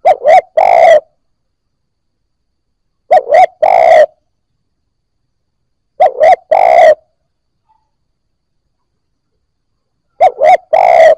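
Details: Spotted dove cooing, a freshly caught bird that has just begun to call, used to encourage new captives to coo: four identical phrases, each two short rising notes and a long buzzy croo, spaced about three seconds apart.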